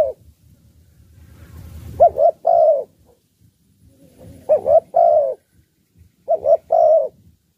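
A spotted dove gives three soft, low cooing phrases about two seconds apart. Each is two quick notes and a longer drawn-out coo, over a faint low rumble.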